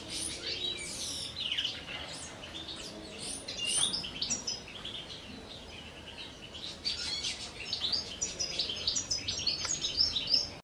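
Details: Common chaffinches courting in captivity during the 2023 breeding season, a male paired with two females; busy high twittering with sharp repeated chip notes and short trills, several birds calling at once.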